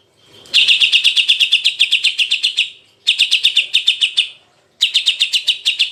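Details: Cucak ijo, the greater green leafbird, recorded as a jantrok-style training tutor: strings of rapid, identical buzzy notes in three runs, the first long and steady, the next two shorter, with brief silences between.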